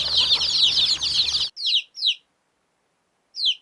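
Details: Chicken chicks chirping: a dense chorus of high, overlapping downward-sliding peeps for about a second and a half, then silence broken by three separate clear peeps.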